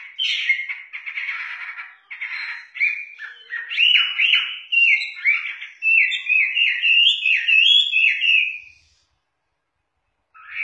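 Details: Active song of a Chinese hwamei, native to southern China: rich, rambling whistles and warbled notes in quick succession, loud phrases swelling and fading for about nine seconds before a short silence and a fresh start.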